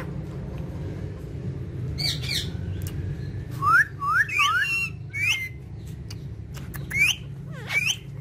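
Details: Parrots larking about on a charpai: a scratchy squawk, then a cluster of short curved whistles in quick succession, later two more brief whistled notes and soft clicks against constant low background hum.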